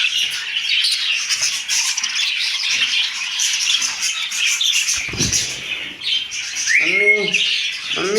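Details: Pet parrot indoors in a small room: harsh, broadband screeching squawks repeated throughout, with a louder rising squawk and harmonic chatter near the end.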